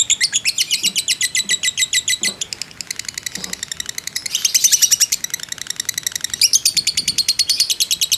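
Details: Lovebird of fighter type in an unbroken ngekek, used as a lure recording: overlapping bursts of fast, shrill, rattling chirps that change in tone and loudness, with faint dull knocks in the background.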